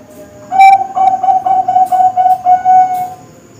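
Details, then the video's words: Zebra dove of the Bangkok type, young captive birds, recorded as a tutor song for contest and breeding birds: a run of about nine short, even cooing notes at a steady low pitch, closing with a longer held coo. "Suara Masteran Perkutut Bangkok"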